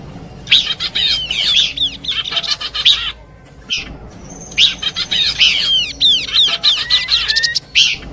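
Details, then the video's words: Horsfield's babbler singing in a mixed lure recording: quick series of clear curved whistles and chattering chirps, a pause near the middle, then a lively run of looping notes and a final rising whistle. "Nyanyian burung pelanduk semak kombinasi cocok buat pikat."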